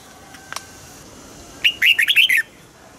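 A red-whiskered bulbul gives a quick run of five or six bright, bubbly whistled notes, rising and falling, after a couple of faint ticks.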